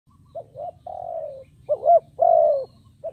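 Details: Decoy spotted dove calling to lure wild doves: a short wavering note, a long low coo sliding downward, then the pair repeated, with a steady low hum underneath.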